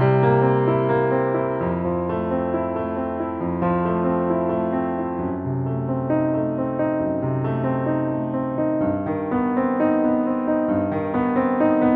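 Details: Steady piano music plays throughout, with sustained chords and no animal sounds.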